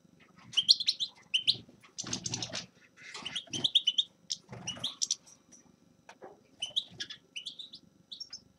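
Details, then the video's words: Lively twittering from a Grey-crowned goldfinch: bright, high chirps and short rising twitters in clustered phrases, mixed with a few harsher buzzy notes, while low thumping and rustling noises break in several times. "Седоголовый щегол Carduelis caniceps певчая птица"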